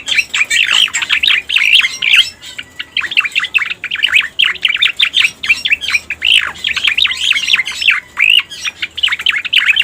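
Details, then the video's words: Striated grassbird (cica koreng) singing on a master recording meant to attract wild birds, quick chattering notes and hooked whistles in bouncy groups separated by tiny gaps, steady and loud throughout. "Suara Pikat Burung Cica Koreng"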